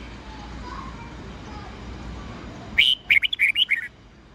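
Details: Red-whiskered bulbul morning song in a mature wild-bird style, used to train young birds to learn the song. Nearly three seconds of quiet hiss, then one quick phrase of about eight clear, warbling, whistled notes lasting about a second.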